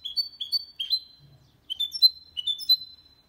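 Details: Hybrid of goldfinch and canary singing cleanly, used to encourage males to sing and help chicks memorise song. Clear high whistled notes, a quick group of three, a pause, then two more ringing sliding phrases.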